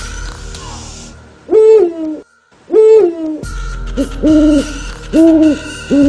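An owl gives two drawn-out, mellow hoots about a second apart, then three shorter hoots in quicker succession, over a faint steady hum.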